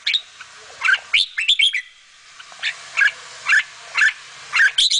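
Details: Bulbul babies fed by their mother: sharp chirps repeated about every half second over steady background hiss.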